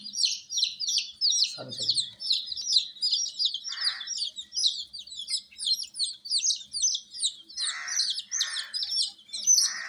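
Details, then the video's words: Baby chickens, colour-dyed chicks kept with provided heat, chirping as a crowd: dense high, thin peeps tumbling over one another without pause, with an occasional short rustling burst and one low thump. "MURGI Baby "Chicks Chirping" Sound"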